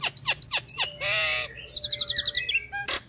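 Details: Nias hill myna, a breeding female calling the male: three hooked whistled notes, a rasping buzzy squawk, then a quick series of about twelve clipped chattering notes and a final sharp note.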